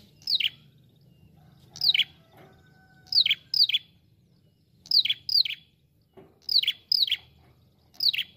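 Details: Ashy prinia, a calling bird, gives sharp, high, downslurred chirps in short double or triple bursts, repeated roughly every one to one and a half seconds, over a faint low hum.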